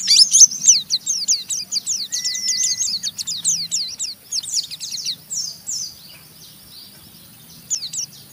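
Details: Caged Oriental white-eye singing a rough ngeriwik chatter meant to provoke other white-eyes into song; fast downslurred high notes pour out, then the phrase thins and fades toward the end, with one long thin whistle midway.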